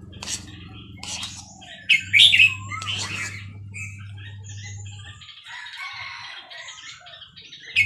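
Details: Red-whiskered bulbul, Burmese type, recorded at Dan Singkhon: a busy mix of chirps and a couple of loud, warbled bursts, backed by a low droning hum for the first five seconds.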